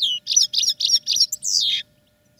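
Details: European goldfinch singing in a cage during training: five quick buzzy, twittering phrases in a row, ending in a longer liquid, tinkling trill, all high-pitched and loud against a quiet background.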